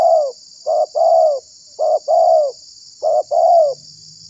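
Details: Calling spotted dove used to lure wild doves and provoke them: three regular phrases, each a brief coo then a longer arched coo, about one per second and a quarter, with steady background hiss.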